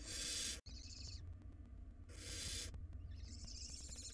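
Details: Two loud, breathy barn owl hisses open and split this moment, each followed by a quieter nasal wheeze, as wild nestlings in a nest box struggle over a large rodent.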